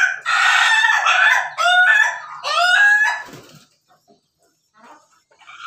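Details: Pelung Bangkok rooster, a kept bird, recorded 17 May 2024, giving a laughing-style crow: a loud, harmonic-rich call broken into three rapid stuttering bursts of rising and falling notes over about three seconds, then quiet.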